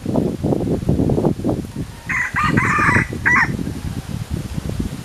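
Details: Philippine red junglefowl, one of a kept pair, gives a short hoarse crow in two parts, a rough phrase then a brief clipped ending, over steady low rumbling background noise.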